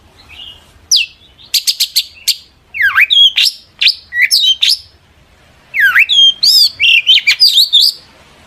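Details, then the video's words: Long-tailed shrike in lively song intended to provoke other shrikes: bursts of quick clipped notes and swooping whistles that dip and rise, with a short silent gap before a final busy phrase. "burung cendet gacor FULL EMOSI pancingan CENDET AGAR NYAUT"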